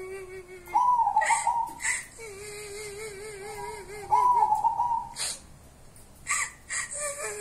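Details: Zebra dove of a local wild strain, called 'perkutut kuntilanak', uttering two rolling trilled coos amid a long low wavering whistle, with scattered clicks and rustles.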